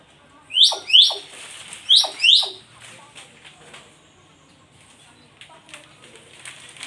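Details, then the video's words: Nias hill myna giving two pairs of sharp, high, clear whistles in quick succession, each note beginning with an abrupt attack. Fainter clicks and soft noises follow in an echoing room. "KICAUAN MAGIAO (BEO NIAS)"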